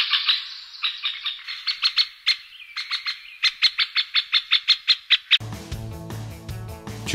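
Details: Middle spotted woodpecker giving a chattering series of short, sharp, high notes for over five seconds, calls or male display sounds, before music takes over.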